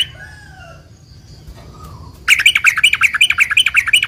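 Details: Yellow-vented bulbul in eager, long rapid-fire song meant to provoke other bulbuls into answering: faint soft whistles at first, then at mid-clip a loud, fast string of bright, bouncing chirped notes.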